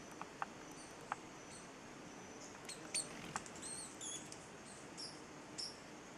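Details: Pirre Hummingbird (Goethalsia bella) on Cerro Pirre, Darien, Panama, giving thin, very high squeaky chips and brief ticks, scattered irregularly over a few seconds against a soft background hiss.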